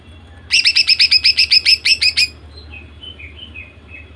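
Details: Greater green leafbird female singing to draw males into song: a rapid, rhythmic series of about a dozen harsh bright notes lasting nearly two seconds, followed by faint soft chirps.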